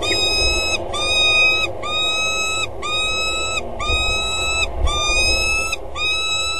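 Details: At the Axel water tower nest site, a female peregrine falcon sits on the gutter edge on a February 2013 morning and calls before mating. Eight drawn-out, rich, nasal wails follow one another at a steady pace over background hum.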